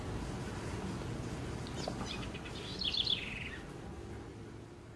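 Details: House wren singing in Brazil: a few soft introductory notes, then a bright, bubbling, high trill that tumbles downward over about a second, heard once against a steady low rumble of background noise.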